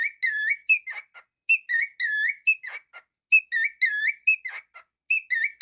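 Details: Domestic cockatiel singing a repeated whistled melody: rising and falling slurred notes and brief clicks, grouped in phrases that recur every couple of seconds against a quiet background.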